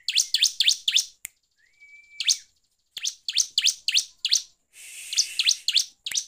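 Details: A bar-winged prinia, a lively singer used as a lure to provoke other prinias, gives loud, harsh, buzzy high notes in rapid bursts of three to four per second, with one thin, level whistle between bursts.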